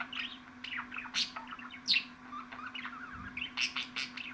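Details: Pet budgerigar sounds for stimulating a home budgie: quick bright chirps, rising squeaks and sharp clicks tumbling irregularly, over a constant low electrical hum.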